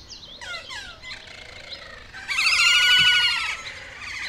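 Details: Kea, highly vocal parrots, in a group at play; kea have a call heard only during play. Several high, falling whistled calls, then a loud, rippling warble of about a second, with a few quieter calls after.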